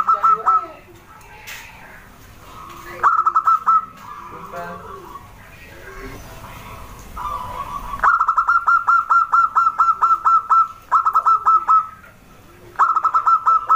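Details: Local wild zebra dove in active song: fast, staccato, trilled cooing notes are repeated in rapid bursts several seconds long, with pauses between them. Softer, noisy rustling sounds fill the first half.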